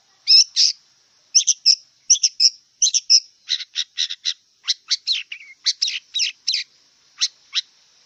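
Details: A wild long-tailed shrike delivers a lively, scratchy song. Paired harsh notes give way to a fast run of clicking chips, interspersed with buzzy slurs, then slow spaced notes at the end.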